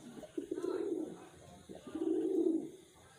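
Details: Captive wild pigeon cooing: two low, steady, droning phrases of under a second each, separated by a short gap.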